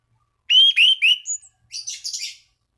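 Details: Orange-banded thrush singing to call rivals and stimulate other thrushes to sing: a short burst of clear, slurred whistles, then a softer, scratchy, higher twittering phrase, against a silent background.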